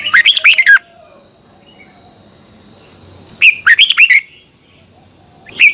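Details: Red-whiskered bulbul singing a 2021 morning training song in the double-voiced, twisting style, used as a lure song for training other birds: two loud bursts of rapid, rich warbled notes about three seconds apart, a third beginning at the end, over a steady high whine.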